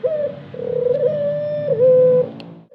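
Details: Ornamental dove giving long, even, sustained coos, one flowing note with a slight dip near the end, recorded in a quiet indoor space with low hum.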